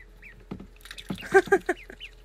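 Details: Ducklings calling in a short burst of loud, harmonic squawks, interspersed with quieter high chirps that slide downward and then rise again, with a steady low hum underneath.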